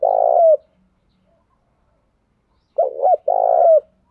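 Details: Decoy spotted dove calling to draw wild doves into cooing back. The clip starts on the end of one drawn-out coo. After a pause, a full phrase follows: a brief quavering note, then a sustained coo sliding down at its close. The background is quiet.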